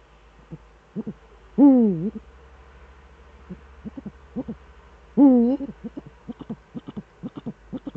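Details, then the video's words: Duet of Eurasian eagle-owls, male at the nest, Eifel, 13 December 2013 at 17:25: two loud, bending harmonic calls three and a half seconds apart, accompanied by a run of short staccato notes that grows busier towards the end. "Uhu-Duett, Männchen am Horst"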